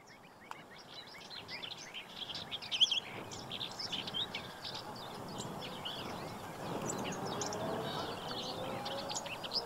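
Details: Black-winged stilt (Himantopus himantopus) calls in spring, 15 April 2023, at Séné Nature Reserve, Brittany: many short, sharp yelping notes, scattered and overlapping like several birds calling at once, over a steady rushing background noise.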